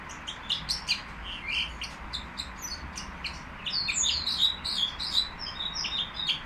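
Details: Nightingale singing at the Qrayaa bird market among ornamental songbirds: a rapid, busy run of high chirps, trills and short whistled notes, about two or three a second, with a faint low background hum.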